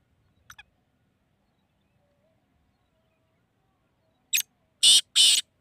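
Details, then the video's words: A black francolin of the shedi strain in Hyderabad, Pakistan gives a burst of three loud, harsh, grating notes near the end, the last two longest, after a near-silent pause with a faint click. "kala teeter ke awaz|black Francolin ka awaz"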